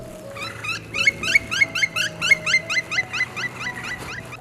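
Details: Black Woodpecker parent in a Paris-region forest, spring 2021, calling from a nearby tree to coax its young male out of the nest hole to fledge: a fast series of loud, ringing notes, three or four a second, each sliding down in pitch, over faint background music.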